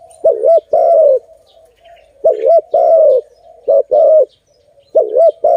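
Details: Malay dove (zebra dove) near a trap: repeated cooing phrases, a bouncy doubled note then a longer, slightly falling coo, four times in quick succession with soft faint coos between.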